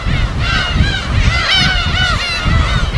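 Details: Wild gulls at a West Sea uninhabited island colony in Korea, field recording: many overlapping gull cries blurred together above a constant heavy low rumble of waves or wind.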